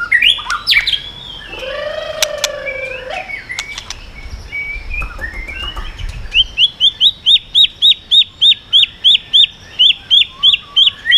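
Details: White-rumped shama singing 'yến reo' style to provoke other birds with tail flicking: varied whistles and a low arched note, then about fifteen identical rising chirps repeated roughly every third of a second.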